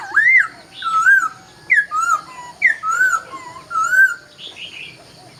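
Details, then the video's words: Laughingthrush at dawn singing loud, fluty whistled phrases, each a slurred swoop or falling glide, repeated roughly once a second with varied shapes and faint higher notes above. "Chào Bình Minh | Nghe Tiếng Chim Khướu Hót Cực Hay"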